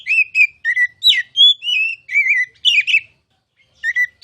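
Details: Kacer, the oriental magpie-robin, in full masteran song used to prompt other kacer to sing: a dense string of varied whistles, twangy slurs and short trills, one long clear note held briefly, then a pause before a final phrase.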